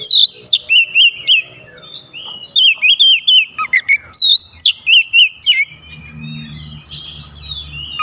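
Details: Oriental magpie-robin challenging a rival and answered in kind: loud, rapid series of whistled notes dipping and rising, roughly three to four per second, in two long bursts, followed by a softer warbling passage over low rumble.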